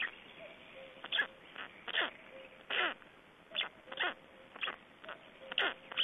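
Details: Black storks at a nest in Estonia during feeding and change-over, 25 May 2012 at 9:29: rough, wheezy bursts repeated about every half second, mixed with thin, level whistled tones.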